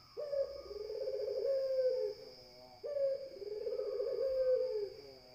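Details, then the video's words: Two long, soft, hollow coos from a spotted dove, or puter, each lasting nearly two seconds with a gentle rise and fall, about two and a half seconds apart, over a faint electronic whine. "SUARA PUTER"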